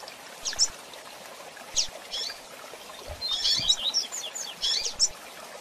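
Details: Calls of a female double-collared seedeater, tui-tui type coleiro, used to fire up the male: sharp, thin tweets spaced a second or so apart, then a denser cluster of rapid chirps midway, against constant hissy noise.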